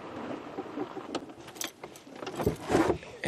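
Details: Rattling, jangling knocks and engine noise from a moving vehicle on a sunrise safari drive, without any animal calls.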